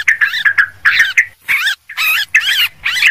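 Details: Yellow-vented bulbul, a noisy lure recording for attracting birds: harsh, scratchy chattering bursts with wavering warbled notes, delivered in quick clusters separated by brief pauses.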